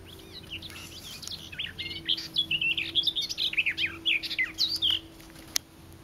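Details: Garden warbler singing, more eager and louder than the recorder is used to; a fast, rich warble of short scratchy and fluting notes, mostly high-pitched, running continuously for about four seconds over a faint steady hum.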